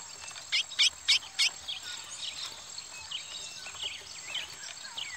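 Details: Curió (large-billed seed finch) of the Parazão song style fighting a pardo (brown) curió: four loud, sharp, high notes in quick succession near the start, then a scatter of softer high chirps over faint background hiss.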